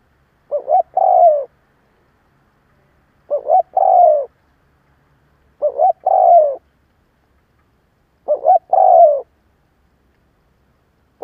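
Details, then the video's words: Spotted dove kept as a lure to stir up rival doves, giving four evenly spaced calls: a brief rising-falling double note, then a longer mellow coo sliding downward, about every two and a half seconds. "Cu gáy gù gáy kích bổi cực mạnh / Tiếng cu gáy hay kích bổi / Cu mồi thúc gù kích cực mạnh"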